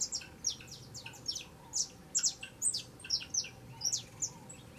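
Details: A juvenile saffron finch sings in fast sequences of thin, high downslurred chirps, some notes brighter and sharper, delivered in uneven clusters about twice a second.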